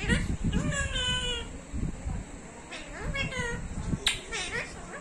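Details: Talking pet parrot producing a string of harmonic, voice-like phrases with wavering and falling tones, short bursts separated by brief pauses, against continuous low background noise and a few sharp clicks.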